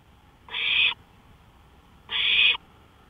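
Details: Owl calling from a porch at 1:53 AM, May 5, 2013; two breathy, rasping screeches of about half a second each, separated by a second-long pause, with faint low background hum.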